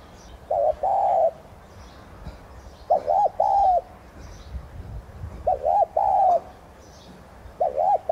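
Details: Decoy spotted dove, subspecies tigrina, giving the thúc gù coo style used to stimulate other doves to sing: four low hooting phrases, each two quick coos then a longer drawn coo, about every two and a half seconds, faint high chirps behind.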